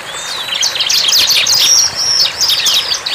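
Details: Wild bar-winged prinia in full song: a thin rising whistle opens, then a fast, busy stream of high chirps and squeaky notes with short steady whistles woven through.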